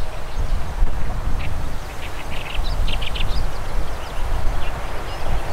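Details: Zitting cisticola calling as it flies: a short series of harsh, buzzy 'jat-jat' notes in quick succession, then quieter ones, over constant deep wind rumble.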